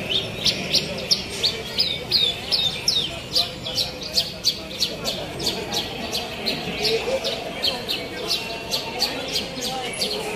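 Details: Contest Javan bush lark pouring out quick repeated high chirps, nearly three per second, sharp and uneven, over a low hum of talking people and ambient noise.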